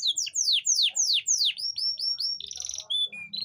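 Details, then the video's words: Canary singing to bring reluctant females into breeding condition: loud, sweeping downslurred whistles in quick succession, then a run of short clipped notes and a buzzy trill, ending in a few separate piping notes. "Suara memancing kenari betina susah kawin"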